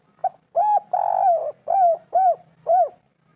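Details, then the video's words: Spotted dove call used as a lure to make quiet birds call, local natural 'kuk 3' style: a burst of five cooing notes, a short note then a long drawn coo followed by three quick arched coos. "masteran derkuku tekukur kuk 3 atasi burung malas bunyi langsung nyaut"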